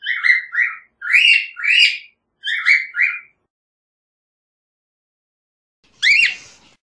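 A cockatiel gives bright, slurred whistles in three paired bursts, then one sharp rising note.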